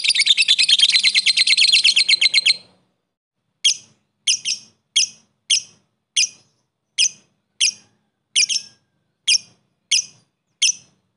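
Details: A lovebird chatters in a rapid, harsh burst, then gives shrill chirps roughly every second, a recording used to provoke other lovebirds into quick response.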